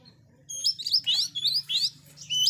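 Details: Loud oriental magpie-robin song meant to provoke rival magpie-robins: a quick phrase of sweet, rising and falling whistled notes linked together, with a faint low hum beneath.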